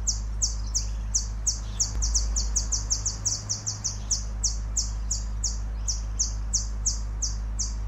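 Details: A Temminck's sunbird in Sabah, Malaysia, in June 2023 gives a steady string of very high, thin, sharp chips, about three each second, over a low background rumble.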